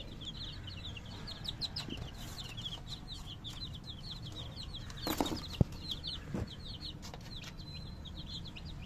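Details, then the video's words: Baby chicken chicks chirping: a dense stream of short, high, rising peeps overlapping constantly, with a few soft thuds and a sharp knock near the middle over a low background rumble. "baby Chicks chirping"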